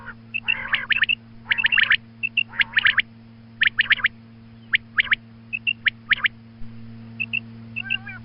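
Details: Female quail giving its morning call, for hunts: bursts of bright, stuttering clicks with brief nasal squawks, then sparser single clicks in pairs, while a steady low hum runs beneath.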